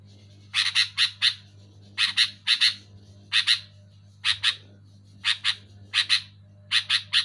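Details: Sooty-headed bulbul calling loudly, meant to prompt sluggish caged bulbuls to sing: rapid groups of two to three harsh, broad chirps repeated about every second, over a faint low electrical hum.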